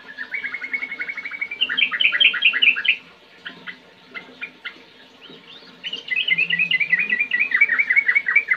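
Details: Yellow-vented bulbul song to spur kept birds into singing: a chattering trill flowing into loud, bubbly phrases, a quieter gap with scattered clicks, then another long run of lively, warbling, up-and-down notes.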